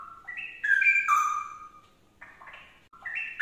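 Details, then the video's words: Straw-headed bulbul song played to set another bird singing: loud, rich whistled notes stepping up and down in quick slurred phrases, a bright burst near the middle, a pause, then fresh rising phrases. "CUCAKROWO ANDA LANGSUNG NYAUT GACOR"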